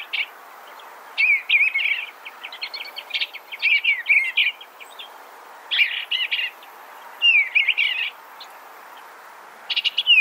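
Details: Eastern Bluebird giving repeated burbling phrases about every one to two seconds, mixing soft chips with slurred, down-sliding whistles; quiet gaps fall between the bursts.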